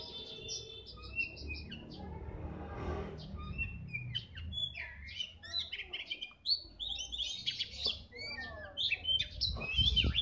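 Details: Kacer bagong (Oriental magpie-robin) in lively continuous song, fast runs of high chirps, sweeping whistles and harsh buzzy notes tumbling together, louder toward the end, with steady low hum underneath.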